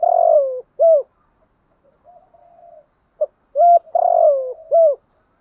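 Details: Spotted dove in the 'gù thúc' style of southern Vietnam, played to stir up decoy birds: deep, mellow coo phrases, each a long drawn coo followed by clipped hooting notes, given twice with a soft murmur in between, no other sounds.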